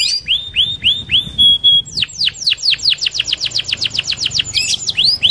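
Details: Canary giving a rolling song suitable for luring other canaries: looping upslurred whistles, a steady held tone, then a long regular run of rapid descending notes about four per second.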